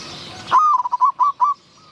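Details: Zebra dove cooing at Wapi district, Maha Sarakham, Thailand, where wild doves are lured with a decoy bird; six short, clipped coo notes at a steady mid pitch, delivered in about one second, then quiet.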